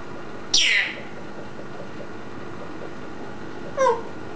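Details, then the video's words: Green eclectus parrot kept as a pet indoors, described as talking: a sharp squeal sweeping downward, then a shorter harmonic squawk about three seconds later, over steady room hiss. "the green eclectus parrot"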